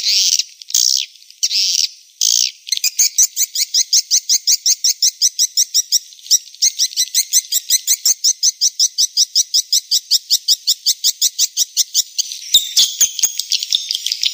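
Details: Swiftlet lure sound for attracting birds, 2021: a few loud chirps open a long, steady series of rapid clicking pulses, about one every second, ending in softer twitter.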